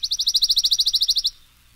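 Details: Pine Warbler, first of four examples among songs of eastern birds, sings a quick, even trill of about seventeen sweet, high notes lasting just over a second, ending abruptly.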